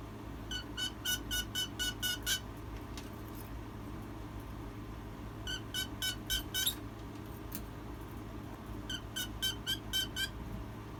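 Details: A hen making baby-like noises and crying: rapid bursts of short, high peeps, about eight to ten quick notes per burst, in three separated runs, over a constant low room hum.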